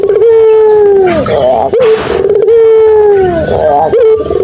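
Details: Dove kept by bird fanciers, a call used to coax silent doves into calling back: long steady low hooting notes that sag at their ends, two drawn-out phrases separated by short rough bursts.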